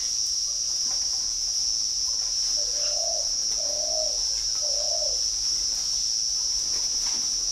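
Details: Male Spotted Dove with a prized brass-toned (âm đồng) voice, kept in the middle cage at a Hanoi bird farm in Vietnam, gives three even, mellow coos roughly one second apart, against a constant shrill buzzing of insects.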